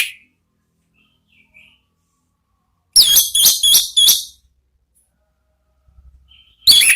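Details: Orange-headed thrush in "ngeplong" song, a lure and therapy recording: a faint short whistle, then a loud burst of four quick warbled notes, quiet again, and a final loud phrase at the end.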